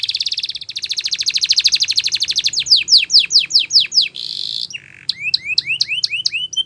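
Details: Spanish Timbrado canary training song: a long rapid rolling trill, a run of steep falling strokes, a brief buzz, then repeated rising whistled notes, over a low background hum.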